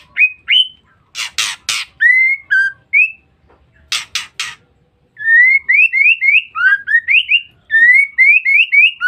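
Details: Female white-rumped shama calling to lure males: repeated harsh rasping bursts mixed with long rapid series of short rising whistled notes, some dipping, fairly evenly spaced.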